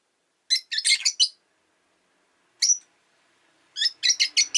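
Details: Rosy-faced lovebird chatter on a lazy afternoon at home: a run of five rapid scratchy chirps, a lone chirp after a silence, then another fast series of harsh notes.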